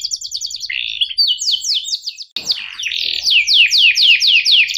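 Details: Canary song used as a training recording for young birds to learn, with fast trills of repeated sharp, descending whistled notes, changing trill type every second or so, and a brief click near the middle.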